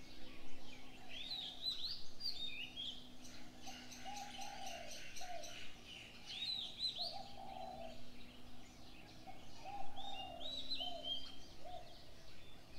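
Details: Birds in the morning: repeated bright high chirps and short warbled phrases from several birds, over a series of low soft cooing notes and a faint steady hum.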